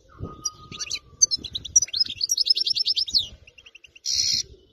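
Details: European goldfinch, caught wild in area 86 and kept singing a faultless song: quick tinkling chirps build into a fast run of repeated metallic notes, ending in a short harsh buzz, with faint tapping below.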